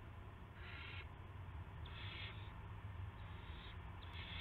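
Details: Owl with a gopher at 8:00 PM, March 18, 2016. Three drawn-out, airy hisses, the middle one longest, sound over a steady low-pitched hum.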